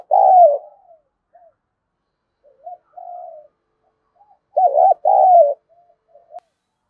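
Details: Spotted dove cooing meant to provoke fighting and attract wild doves: a loud falling coo, soft scattered notes and a quieter coo, then a strong wavering phrase with a long coo and faint trailing notes.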